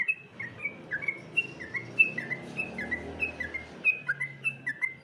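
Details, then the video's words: Competition-style singing of a sooty-headed bulbul: clear short whistles repeated about every quarter second, alternating higher and lower notes, over a quiet low rumble. "Masteran Trucukan Lomba, Semua poin bunyi suara burung trucukan ada disini"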